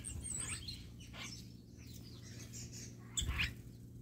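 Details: Wattled starlings, part of a flock that visits a garden in Namibia every morning. Scattered high chirps and short rising notes are heard over a low background rumble, with a louder burst of calls near the end.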